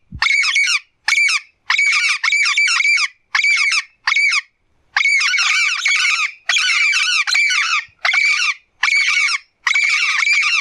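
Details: A blue-fronted amazon in nature gives harsh, squawking, harmonic calls in choppy bursts of half a second to a second or more. Short silent gaps fall between them, with no other sounds.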